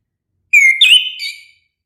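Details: Orange-headed thrush singing a single rich whistled phrase of about one second: a clear steady whistle that breaks into a warbled, slurred ending, with silence around it.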